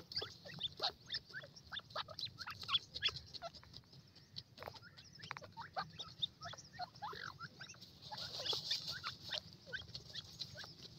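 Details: Several grey francolin chicks at play on warm ground, a dense run of brief rising and falling chirps, many in quick succession, with a continuous high-pitched hiss and a faint low hum underneath.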